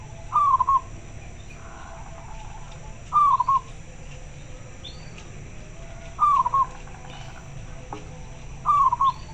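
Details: Local zebra dove responding to another bird, heard softer and farther off; four brief mellow coos with a slight rising-falling inflection, repeated roughly every three seconds against steady low hum and faint background noise.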